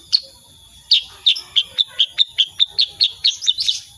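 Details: Sooty-headed bulbul, actively singing in 'tembakan' style, recorded unedited: a fast, even series of about fifteen piercing high chips, roughly two to three per second, with a faint steady electronic whine underneath.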